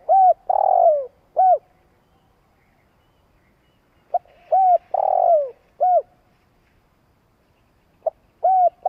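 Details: Spotted dove decoy cooing: phrases of quick arched notes around a longer, falling central coo, repeated roughly every four seconds with silence between.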